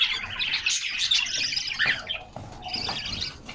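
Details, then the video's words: Canaries in their cage in summer sunshine, hopping and playing while singing: bursts of high, rapid chirps and twitters, with brief soft thumps of movement or wings and a quieter gap before the chirping resumes. "Canaries Singing"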